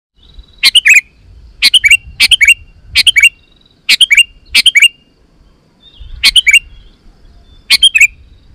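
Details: Sooty-headed bulbul in full song, used to lure wild bulbuls into answering: short bursts of three or four quick, bright chirping notes, repeated roughly every second with brief pauses, over a soft low rumble.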